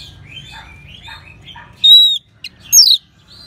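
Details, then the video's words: Orange-headed thrush, North Bali, used as a training sound for other birds: soft twittering subsong, then a loud drawn-out high whistle and a sharp descending note after a short gap. "ANIS MERAH SAUARANYA MANTAP 99% SEBAGAI MASTERAN DAN PANCINGAN BURUNG NGEPLONG"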